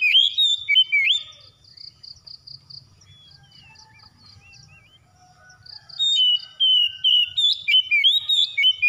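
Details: Magpie-robin song meant as therapy to make a silent bird sing quickly: lively sequences of sliding whistles, twittering notes and fast repeated chirps at the start and end, with a softer, quieter stretch in the middle.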